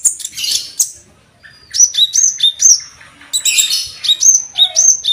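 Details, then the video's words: Cucak jenggot-flavoured master song of an olive-backed sunbird, used to train cage birds: a twittering burst, then clear whistled notes that alternate between two high pitches in quick repeated pairs. "KONIN MASTERAN ,Rasa Cicak Jenggot"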